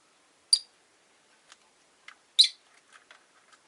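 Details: Five Rosy-faced lovebirds in a window cage on a quiet afternoon: a sharp squeaky chirp, soft ticks and scratches, then a louder, rougher chirp followed by light clicking.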